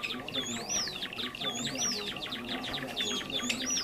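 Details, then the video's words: Java sparrows, a rice-field and farmland bird, in a trapping lure: three swooping whistled notes, each curving up then down, spaced about a second apart above dense scratchy twitter. "SUARA PIKAT BURUNG GELATIK JAWA"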